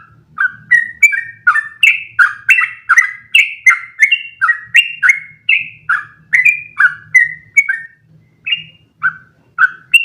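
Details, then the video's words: Training song of an actively singing sooty-headed bulbul: a long single-breath rolling run of quick, fluty chirped notes alternating low and high, briefly pausing near the end before resuming, with a faint low hum underneath. "MASTERAN burung trucukan terbaik biar ikutan ropel panjang 1 nafas"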